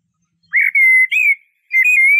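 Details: Eurasian blackbird giving clear, smooth whistled notes, held and gently wavering, in two flowing parts with a short gap between them.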